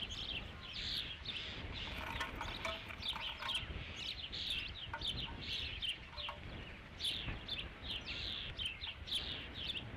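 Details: Fifth fish delivery at an Osprey nest on Dunrovin Ranch, 3 July 2016. Insistent high chirps repeat quickly and unevenly, with faint lower clucking notes and background rumble throughout.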